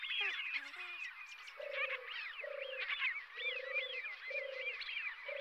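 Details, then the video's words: European turtle dove, RSPB Frampton Marsh Reserve, 26 July 2020, heard from the car park. A few short notes open, then four or five steady low purrs follow in sequence beneath lively twittering from other songbirds. "European Turtle Dove"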